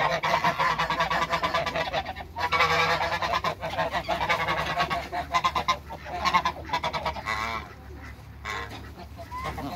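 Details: African and Toulouse geese in a backyard flock calling almost continuously: loud, harsh, nasal honks in quick uneven runs from several birds, one longer drawn-out honk near the third second, fading toward the end.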